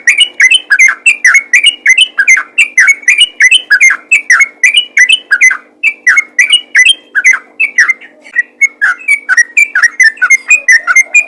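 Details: A singing trucukan (yellow-vented bulbul) in ropel style, calling fellow bulbuls to be vocal. Unbroken chatter of quick, chirpy, bubbling notes repeats throughout at a steady brisk pace.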